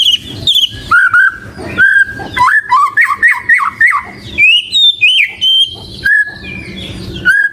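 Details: Varied singing from a white-rumped shama: warbled whistles, rapid rising slurs and short chirped phrases, delivered energetically with little pause.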